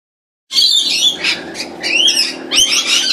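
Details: Rainbow lorikeets in a sudden, unusually large flock, giving loud harsh screeching and chattering calls that overlap continuously, high-pitched and grating, starting abruptly after a short silence.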